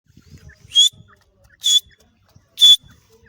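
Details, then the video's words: Female francolin (teetar) calling: three loud, sharp, high whistled notes, each a short clear tone with a harsh edge, spaced about a second apart, with faint low rustling in between. "teetar sound || teetar voice || teetar ki awaz || irrani teetar ki awaz"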